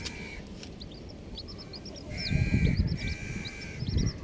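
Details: Colourful baby chickens chirping rapidly: short, bright, downward-curving peeps in dense clusters. A sustained whine comes and goes, with heavy low scuffling and thumps beneath.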